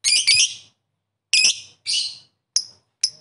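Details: Lovebird calling toward rivals, giving short loud shrill chirps and squeaks with gaps between them, the last two notes brief and thin.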